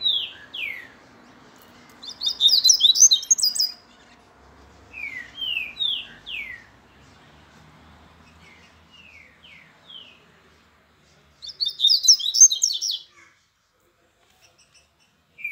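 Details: Grego-style song of a Minas Gerais papa-capim: slurred whistles falling in pitch, given singly and in short runs, between two bursts of very high, rapid scratchy twittering; quiet pauses separate the phrases.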